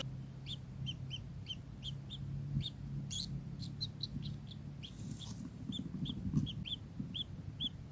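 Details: Kingfisher giving a steady series of short, sharp upslurred notes about three per second, over a low rumbling background hum.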